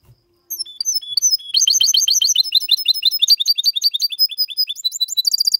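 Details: Hybrid goldfinch x canary male song, clean and error-free, for stimulating singing and memorising by chicks; brief high whistles give way to a long sequence of quick repeated trills, finishing with a dense high buzzy burst.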